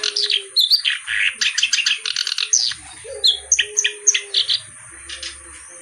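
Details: Kerak basi, a reed warbler, in full song: bursts of scratchy chatter alternate with sharp, clear whistled notes, delivered in quick uneven phrases with short pauses between them.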